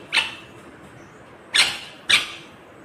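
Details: Green rose-ringed parakeet making three loud, grating squawks: one at the start, then a quick pair near the end, against a quiet room.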